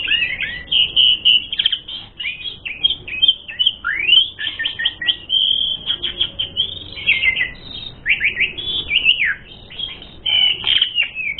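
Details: An Asian pied starling sings a continuous, richly filled song used as a fighting lure, a tumbling stream of high whistles, quick slurs and chattering notes with hardly a break over eleven seconds.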